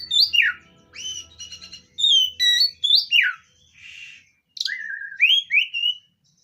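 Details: Oriental magpie-robin song meant to call a stressed magpie-robin: loud, varied whistled phrases with sweeping downslurs and rising notes, separated by brief pauses.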